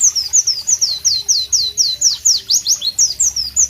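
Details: White-eye (Pleci) singing in a tropical setting: evenly paced high, sharp falling notes about three per second, becoming quicker and more varied near the end, faint low hum in background.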